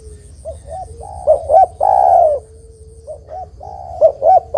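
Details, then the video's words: Vigorous spotted dove coo for luring and trapping rival doves: soft low note, two quick looping coos and a long burry note, phrase repeated after about two seconds, with a thin constant electronic tone high above. "Suara Burung Terkukur Gacor Paling Top Untuk Pancingan & Pikat Dijamin Lawan Nyaut"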